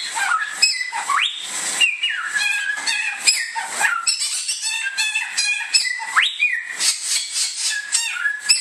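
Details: Indonesian bare-throated whistler, or samyong, in a long varied whistled song. Steeply rising upsweeps and flat held tones alternate with quick chattering notes in a continuous stream.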